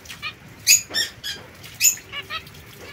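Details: A young captive zebra finch pair, a white female and a mosaic male kept apart from other birds, trade short, nasal, honking calls: two louder beeps about a second apart, mixed with softer brief chirps.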